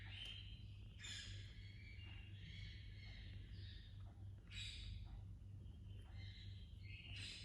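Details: Baby Indian ringneck (rose-ringed parakeet) chirping: a series of short, harsh, harmonic squawks in the upper-middle range, several bursts about a second apart, some sliding down, over a steady low hum.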